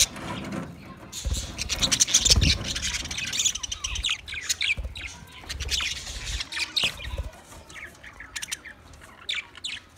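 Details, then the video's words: Busy chatter from twenty pairs of budgerigars: rapid high chirps and squeaks, loudest in the first half and fading toward the end, with occasional low knocks. "20 Budgie pairs chirping sounds"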